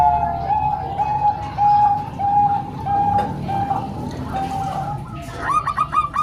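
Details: Combined song of three Bangkok-type and one local zebra dove, used to train young birds. Soft, level coos repeat about every half second. A higher, faster bubbling trill of coos breaks in near the end.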